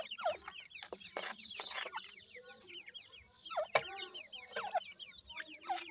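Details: Young grey francolins of the Iranian type calling together: dense runs of thin, falling peeps repeated many times a second, with sharp clattering knocks and handling noise in between.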